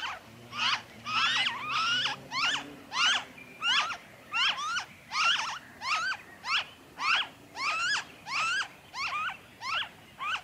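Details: A long run of rasping, honking calls from a noisy friarbird in Victoria, Australia, February 2023: roughly fifteen bent, harmonic notes in quick succession, loud and steady. A soft low hum sits underneath early on.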